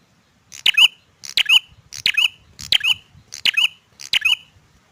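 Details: Male bar-winged prinia singing: sharp high squeaky two-part notes, a click followed by a rising-falling chirp, repeated about every 0.7 seconds in an even series, with a faint low hum behind.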